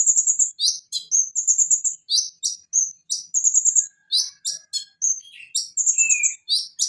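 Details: Van Hasselt's sunbird (konin), recorded as a tutor song for other songbirds, delivers a fast, high, continuous stream of sharp chips, short buzzy trills and thin whistled notes, repeated in quick bursts with a few descending whistles.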